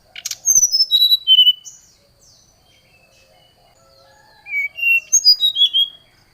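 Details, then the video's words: Oriental magpie-robin in challenging song toward a rival: bursts of clear descending whistled notes, a pause of about three seconds, then another cascading run of whistles. "srdc memanggil lawan"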